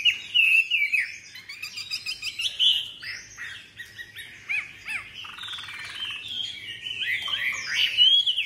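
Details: Caged Chinese hwamei, a tame songbird, delivering a varied run of whistles, rapid chatters and buzzy bursts that rise and fall, with louder whistled phrases at the start and end.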